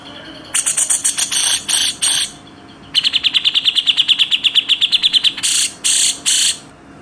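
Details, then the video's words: Grey-cheeked bulbul singing in a masteran tutor style: several coarse rasping bursts, then about twenty fast sharp chirps in quick succession, ending with three more broad hissing rasps. "masteran Tembakan Rapat Besetan kasar cucak jenggot"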